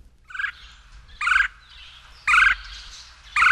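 Red-bellied Woodpecker giving four short, rolling churr calls, each a quarter second long and about one second apart, over a quiet low hum.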